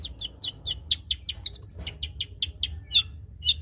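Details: Long-tailed shrike singing with cotton-bird mimicry and shooting notes, as stated: a fast series of sharp high chirps, about five per second, with a brief run of rising whistled notes midway; faint low background rumble.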